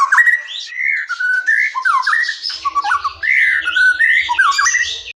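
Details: White-rumped shama singing wild, a lure to set quiet or young shamas singing; rapid run of bright whistled slurs and raspy chatter, with a soft low hum in the second half.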